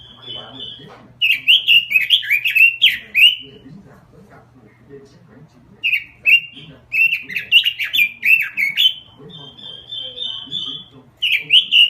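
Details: Robin lure song performed in full: a held level whistle opens, then two long bursts of fast, jumbled, swooping whistles, a sustained even note between, and a low background hum.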